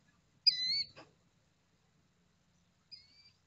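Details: Killdeer with hatchlings utters one loud, shrill, downslurred call ending in a soft click, then a fainter, more distant repeat near the end over a low rumble of background noise.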